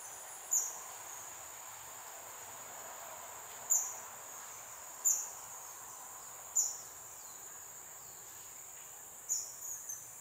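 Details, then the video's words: Loud call of a blue-eared kingfisher in Singapore, where it is a rare resident: five thin, high, piercing squeaks at irregular gaps of one to three seconds against a continuous high insect hum. "Bird Call: BLUE-EARED KINGFISHER"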